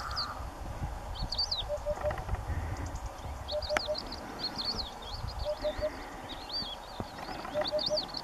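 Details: Eurasian hoopoe singing from the wall of a ruined house on a sunny day: soft, hollow three-note 'oop-oop-oop' phrases, repeated about every two seconds, while other small birds twitter higher above and a low rumble runs underneath.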